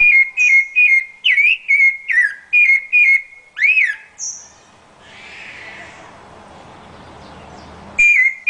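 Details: Song of a Rufous-bellied thrush, Brazil's symbol bird: quick whistled phrases with a few upswept notes and a thin high note, then a soft breathy rushing pause before the whistling starts again.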